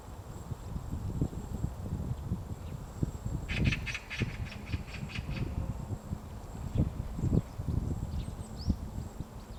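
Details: A White-backed woodpecker excavating a tree nest at Gongsanseong Fortress, Gongju, Korea, on a spring morning in March: muffled uneven pecks throughout, with a rapid string of about seven sharp clicks near the four-second mark.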